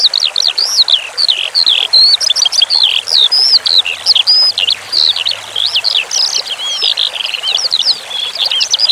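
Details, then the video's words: Skylark, locally branjangan, in a masteran recording paired with flowing water. Its song is a continuous high warble of sharp chirps and up-and-down slurred notes, delivered without pause over a soft bed of trickling water. "Masteran Suara Branjangan Sky Lark"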